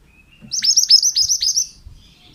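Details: Pied bushchat (mantenan) song used as a training recording for other birds: a clean series of six rapid, sharp descending whistled notes over about one second, bright and high-pitched, with quiet background.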